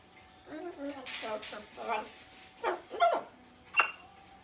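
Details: One-year-old Rubygold macaw, a pet, talking and mimicking human words such as "gimme kiss" and the Romanian "ce faci"; several short, harsh, voice-like phrases with a steady faint hum in the background.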